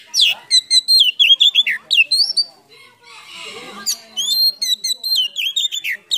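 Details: Oriental magpie-robin, full song with mixed-in phrases used to excite silent birds, showing open tail and cobra-like pose; rapid high chirps and slurred whistles, a short hissy noisy break midway, then dense whistling again.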